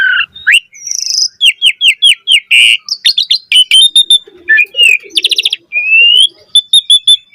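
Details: Black-collared starling singing a dense lure song to encourage other starlings. A string of about eight repeated curved chirps, then mixed whistles, a short rattle, a rising whistle and quick closing notes, with no pauses.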